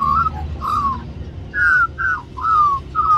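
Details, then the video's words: Young magpie in Cirillo Reserve, Middleton Grange, New South Wales, Australia, singing for mango; clear, loud fluted whistles, each slurring downward, about six phrases in three seconds. "Magpie Sings For More Mango"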